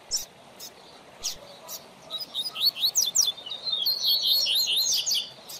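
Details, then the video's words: Captive coleiro singing for song training of a young bird: a few isolated sharp chips, then a quick run of high, buzzy descending notes flowing into a sustained warbled twitter, with light background hiss. "Coleiro Professor Aprendizado"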